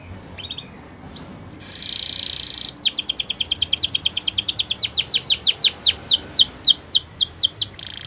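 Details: Song of a canary used for training: a few thin whistles and a brief buzzy rasp, then a long accelerating trill of high descending slurred notes repeated about four times a second.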